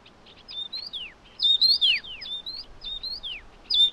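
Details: While feeding its hungry chicks, a Taiwan yuhina repeats crisp whistled phrases in quick succession: a flat high note, an upward flick, then a falling slur, several within four seconds.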